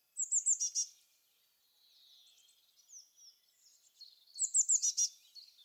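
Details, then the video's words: Songbirds twittering in a forest on a sunny spring day, males singing to win females: two bursts of high, thin, quick descending chirps about four seconds apart, with softer scattered notes in between. "Waldgezwitscher im Frühling"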